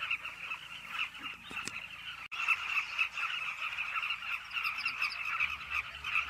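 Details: Carmine bee-eaters at a cliff nesting colony, many birds calling at once: a dense, unbroken chorus of rolling, chattering notes that overlap continuously, with a sharp click midway.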